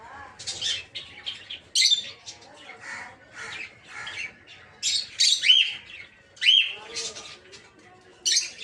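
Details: Peach-faced lovebirds in a breeding aviary, including red-headed green opaline, red-faced dark green, blue rosy and lutino colour forms, give a busy run of harsh, shrill squawks and short rasping shrieks, bursts coming every half second or so.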